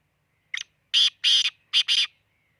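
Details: Khushab black francolin calling with five rasping, broadband notes grouped one, two, then two, with a short gap before the last couplet and no other sounds behind them.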